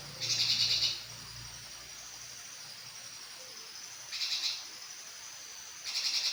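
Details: Grey-cheeked bulbul in full song: three brief, high chattering bursts of quick-fire notes, the first longest, spaced several seconds apart, with quiet pauses between and a faint low hum early on.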